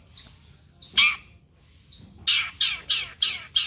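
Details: Long-tailed shrike song played as a lure to make shrikes sing back: a few high slurred whistles, then a loud grating note, followed by a quick series of five harsh rasping notes.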